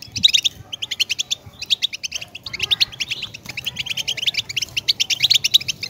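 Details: Lively goldfinch song: fast streams of twittering, slightly buzzy notes running almost without pause, with one short break midway.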